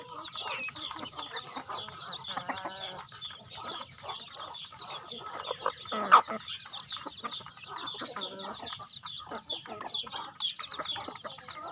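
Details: Flock of farm chickens at feeding time, busy overlapping clucking and shrill chirps throughout, with one sharp loud knock or clatter midway.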